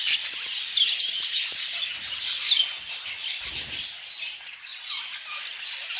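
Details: Budgerigars chattering in a lively flock: dense, overlapping high chirps, warbles and short squawks run without pause, with a soft low flutter or thump near the middle.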